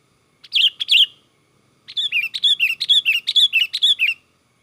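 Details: Excited Sooty-headed bulbul song, used as a lure for catching other bulbuls: a pair of loud, clear whistled notes, a short gap, then a rapid, even string of about thirteen lively chirps, each dipping and rising, over a quiet background.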